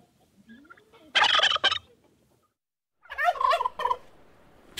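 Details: Loud, harsh turkey gobbles, two rattling bursts about two seconds apart, the first preceded by a soft rising squeal.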